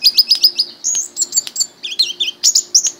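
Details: Pet orange-headed thrush, raised in captivity from a young age, pours out a fast, unbroken string of very high, squeaky chirps and twittering notes, tightly packed and sharply accented.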